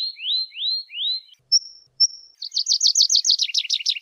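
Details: Tree pipit song: three upslurred sweeping notes, then two thin, high, level whistles, ending in a fast, buzzy trill of rapidly repeated notes, with no other sounds.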